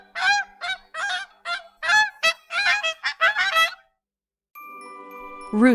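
A goose gives a rapid run of nasal, harmonic honks, followed by a brief musical jingle.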